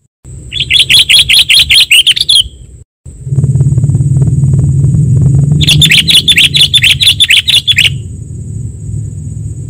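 Sooty-headed bulbul giving two bursts of fast, bright, repeated chirps, each about two seconds long, over a steady high whine and low rumbling background noise.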